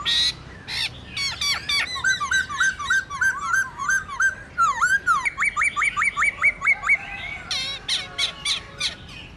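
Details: Wild-style singing of a black-throated laughingthrush, meant to rouse caged birds: rolling rapid notes, a string of repeated short hooked whistles, then another run of rising whistled notes and sharp chips.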